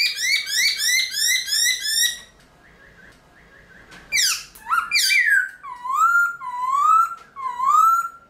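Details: Early in the morning, a captive Black-throated laughingthrush sings a quick run of bright repeated whistles, pauses, then gives loud, rich rising-and-falling whistled phrases, about one per second.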